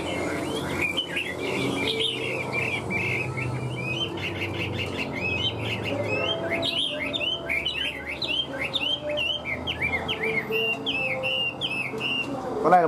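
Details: Caged Hwamei kept as a songbird and described as a strong singer and good fighter. It delivers a long run of loud, varied whistled phrases with slurred rising and falling notes and quick trills, ending in a sharp upward sweep.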